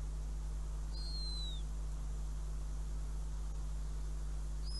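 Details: Northern goshawk at the nest in Riga, 5 June 2016, with a mouse as prey. One short, high whistled call falls away at the end, a second note begins at the close, and a low hum runs throughout.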